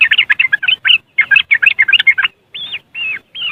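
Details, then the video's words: Yellow-vented bulbul (trucuk) in riwikan style, used as a lure for caged birds, recorded on an Android phone in West Java, Indonesia: rapid chattering burst of bubbly notes, then three separate slurred whistled phrases. "Suara Riwikan Burung Trucuk Sangat Jos Buat Pancingan"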